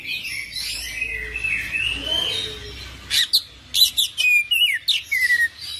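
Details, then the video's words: Continuous 'full isian' song of an Oriental magpie-robin: a soft, warbling run at first, then crisp, loud clipped notes and short whistled slurs repeated quickly in a bright chattering series. "Kacer Full Isian ngerol gacor dorrr"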